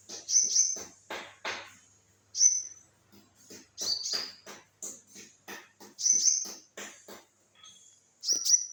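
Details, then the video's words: Olive-backed sunbird singing irregular bursts of high, thin notes: sharp chips, short bright whistles and brief downslurs, spaced by short pauses. "konin gacor"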